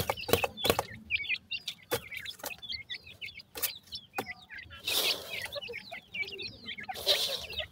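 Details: Grey francolin chicks calling their mother: many small birds giving thin, squiggly, twisting high notes in overlapping bursts, with loud crackling handling noise and clicks throughout.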